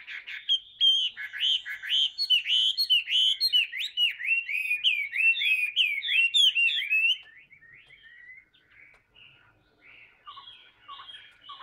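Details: Chinese hwamei, a tame cage bird that sings a lot, pours out rapid varied whistles, twisting slurs and chattering phrases for about seven seconds before quieter scattered notes.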